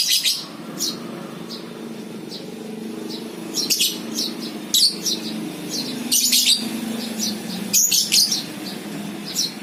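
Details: Lovebird chirps as a ngekek lure: scattered piercing high notes, some clustered into short rattling bursts, over a constant low droning background.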